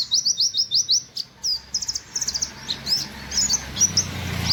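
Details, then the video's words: White-eye, tagged buxtoni, firing its song in rapid 'wit wit' bursts along a single line: quick high chirps in tight series of four to six, then scattered sharp notes, with a faint low hum beneath. "pleci nembak wit wit sejalur"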